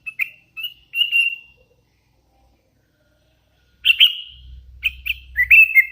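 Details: Sooty-headed bulbul, a young hand-fed bird singing actively: short bright whistled phrases, some sliding and slurred, in two bursts separated by a silent pause of over two seconds, with a low rumble under the later phrases.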